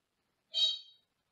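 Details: Single short harmonic squawk from a Senegal parrot sitting in a small cage in another room, loud at onset and fading over half a second, otherwise quiet.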